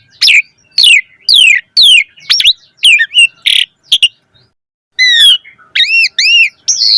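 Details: Asian pied starling, a gacor bird with rich varied song used as a lure, singing loud bursts of descending whistles, harsh buzzy notes and rising ringing phrases separated by short pauses; no other sounds.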